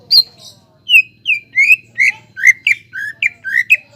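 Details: Greater green leafbird singing, used as a lure to stir other leafbirds into song: a series of loud, clear whistled notes, mostly falling or sliding, delivered at an irregular pace with short gaps, plus a faint low hum in the background.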